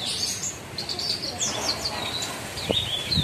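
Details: Caged bushlark, kept as a songbird, giving a fast high song of chattering notes and down-slurred whistles that runs almost without pause, with a low thump at the end.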